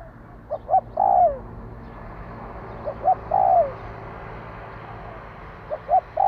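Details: Repeated spotted dove phrases, used to rouse a decoy bird: two short coos leading into a longer falling croo, about every two and a half seconds, over a steady low background hiss.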